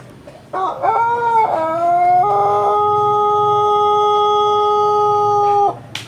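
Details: Pelung rooster sunning itself at home in Sukabumi, Indonesia, giving a long crow: short stepped opening notes, a rising slide, then a very long, flat, sustained tone lasting about three seconds before it cuts off.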